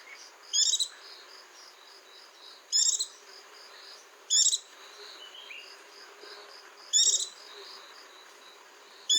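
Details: Repeated white-eye song: five brief, shrill, twittering bursts about every two seconds, with quiet chips in the gaps over a continuous pulsing high drone.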